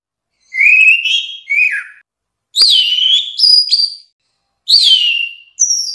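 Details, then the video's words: Orange-headed thrush giving clear whistled phrases that rise or sweep downward, delivered in pairs with pauses of roughly half a second to a second. "Kumpulan suara istimewa Burung Anis Merah"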